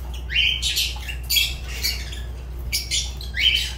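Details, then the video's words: Fischer's lovebird, a pet bird, uttering loud shrill rising squeaks and harsh broadband squawks in quick bursts, several per second, against a faint low hum indoors. "Lovebird Agapornis Fischer sounds"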